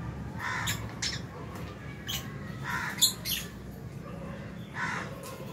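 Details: A lovebird colony feeding in an aviary in January 2023, among albino, Fisher's and lutino varieties, with a budgie present; raspy chirps cluster together, several in quick succession near the middle, over background hum.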